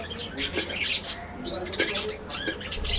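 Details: Aviary budgerigar colony: a short stretch of bright overlapping chirps and squeaky warbling notes, with a clear sharp call at about one and a half seconds and a low hum underneath.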